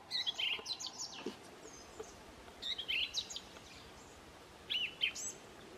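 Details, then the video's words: New Zealand thrush song, its familiar whistled tune delivered as clusters of quick ringing phrases separated by short pauses, with faint outdoor noise behind. "The Song of a Thrush"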